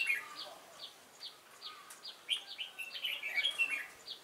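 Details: Red-whiskered bulbul, a newly caught wild bird, recorded 22 October 2018 singing its competition fighting song: short warbled phrases around the middle, over a steady series of faint, high, downslurred ticks and light background hiss.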